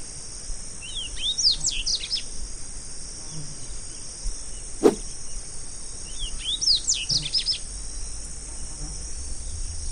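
Double-collared seedeater giving two quick, jumbled, high twittering phrases about five seconds apart, over a steady high insect buzz and a single sharp knock.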